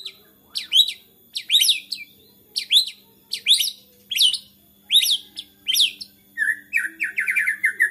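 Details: Agitated white-rumped shama repeating a sharp, high, upslurred double note about every seven-tenths of a second, then breaking into a fast run of whistled notes.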